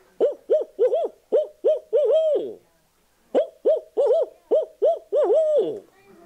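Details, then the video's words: A barred owl, common forest owl in Michigan, gives two rhythmic hooting phrases of six or seven resonant hoots, each ending in a drawn-out, falling "you-all", like "who cooks for you, who cooks for you all". "It has a rounded head, and it sounds like it's saying, "Who cooks for you? Who cooks for you all?" It sounds like this."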